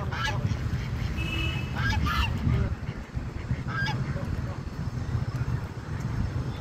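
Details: Duck at a lake gives three or four short, nasal quacks spaced a second or two apart over a steady low rumble of wind or water.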